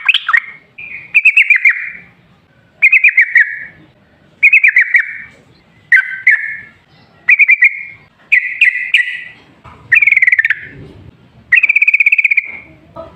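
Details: Lure recording of a sooty-headed bulbul in vigorous continuous song: short whistled phrases of fluty, slightly rolling notes delivered roughly every one and a half seconds, separated by brief silences.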